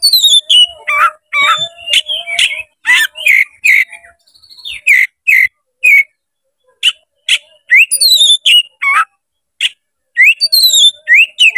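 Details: Oriental magpie-robin with its tail fanned, singing aggressively as a provocation to fight. Nearly continuous, fast stream of sharp whistles, chatters and upslurred notes, with brief pauses between loud bursts, plus a low faint hum beneath.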